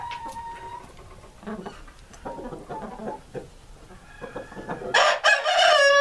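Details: A purebred breeder flock of rare Columbian Rock chickens. Scattered soft clucks and chatter build slowly, then a loud, ringing rooster crow bursts in near the end.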